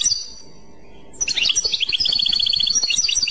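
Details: After a second of quiet, a European goldfinch bursts into Clochette-style song, liquid twitters giving way to a fast, evenly repeated series of high bright notes.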